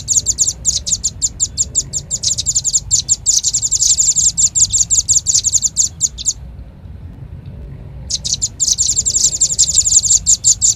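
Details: High, sharp chit notes of a Velvet-fronted nuthatch lure call pour out in a dense, rattling series. A silent gap of about two seconds breaks the run before another fast burst begins.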